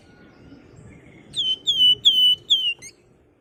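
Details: Female flamboyan calling a male with a nyiul whistle: four clear, falling whistled notes in a row, each sliding down and then holding steady, with a short final note and faint background rumble.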